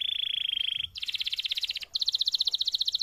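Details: Canary singing a long tutor song for other canaries: a steady buzzy tour followed by two rapid rhythmic trills, the last one higher and louder.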